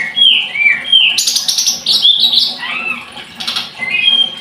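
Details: Scarlet-headed flowerpecker song opening with clear falling whistles, then a dense high trill and warbled twittering, ending in further thin whistled notes.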